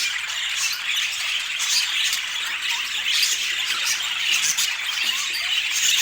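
Budgerigar chatter: a dense, continuous stream of high, scratchy warbles and squawks.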